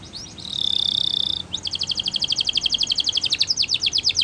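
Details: Spanish Timbrado canary training song: a sustained ringing metallic roll, then a long rapid series of pulsed bright notes, about four per second, over a hissy background.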